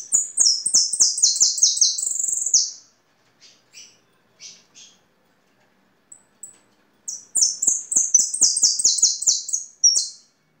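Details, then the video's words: Two bursts of rapid, high, downslurred European goldfinch notes, separated by a few seconds of scattered soft chirps; the bird resumes with an equally loud fast phrase. "Jilguero de canto"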